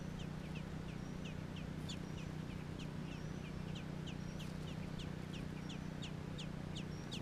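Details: Baby American robins (nestlings) in Georgia calling: a rapid, fairly steady series of short, high, squeaky downslurred notes, about three per second, over a constant low hum.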